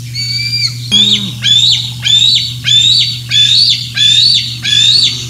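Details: During morning feeding at Decorah North on 27 June 2024, a bald eagle gives a string of shrill whistled squeals, each sliding down sharply at the end, about one every 0.7 seconds, after a brief low grunting sound.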